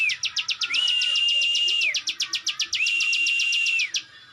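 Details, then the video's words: Energetic song of a plain prinia (ciwah): two long bursts of quick, metallic clicks, each over a steady high whistle that rises at the start and drops away at the end, separated by shorter clicking notes. "ciwah gacor ngebren, burung ciwah anda dengar langsung gacor"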